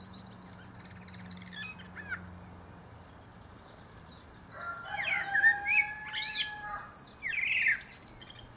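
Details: Male Common Blackbird (Turdus merula) singing from the top of a pear tree: soft high twittering notes open, then a louder passage with long drawn tones mixed with fluting and squeaky flourishes.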